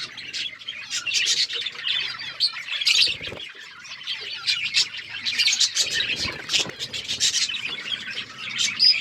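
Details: Several pet budgerigars chirping while eating seeds: dense, busy high chatter of short twittering notes with occasional squawks, overlapping continuously, plus brief wing flutters and pecking noises.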